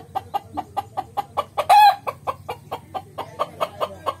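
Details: A desi (local) rooster gives short, steady clucks about five times a second, broken once by a brief harsh squawk; no full crow is heard.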